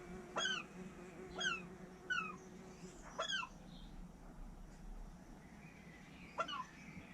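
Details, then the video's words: Pet common raven, recorded alone indoors by a hidden camera, gives five short, abrupt notes that dip in pitch, like coughs or hiccups or rude noises, spaced unevenly over a low indoor hum. "My Raven makes rude sounds!"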